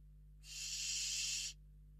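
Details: A Western barn owl in a webcam nest box at Riet Vell reserve, Ebro Delta, Spain, when an unringed intruding owl entered the box, gives one harsh, hissing screech lasting about a second, over a faint steady low hum.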